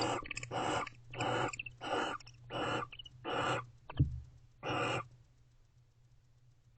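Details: A barn owl pair expressing affection in their nest box late at night: rapid harsh chittering notes repeated about every half second, a brief knock, one more call, then quiet hum.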